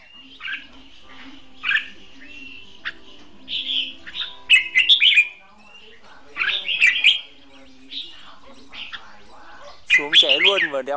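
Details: Caged red-whiskered bulbul used as a trapping decoy, giving scattered whistled phrases of fighting song, short bursts spaced a second or two apart, ending in a louder warbled flurry.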